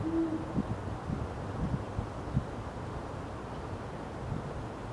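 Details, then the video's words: Male Great Horned Owl in Forest Park, St. Louis, Missouri, USA, on 1 March 2018, gives a series of deep, soft hoots spaced through a few seconds, over a low background rumble. "Male Great Horned Owl Hooting"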